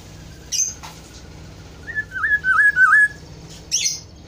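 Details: A fluty Black-throated oriole phrase of four or five whistled notes, each dipping and rising, delivered in about a second, bracketed by brief high sharp chirps and a low steady hum.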